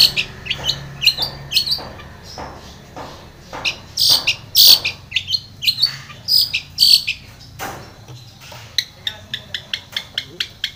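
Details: Long-tailed shrike singing for a lure track meant to provoke another shrike to answer: a busy stream of short chirps and sharp squeaky notes, louder in the middle, then quick ticking notes toward the end.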